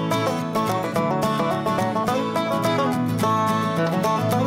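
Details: Lively bluegrass music with plucked banjo and guitar plays throughout at an even volume, and no animal voices can be heard.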